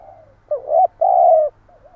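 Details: Spotted dove, a lure bird, giving a stuttering coo: a short rising note, then two low, steady hooted coos around half a second each, with a faint softer trailing coo after; otherwise quiet.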